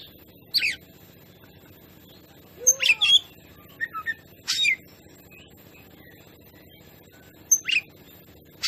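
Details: Oriental magpie-robin (kacer) song used as a lure to provoke other birds; sparse short whistled notes and chirps scattered with long gaps, over a low steady hum.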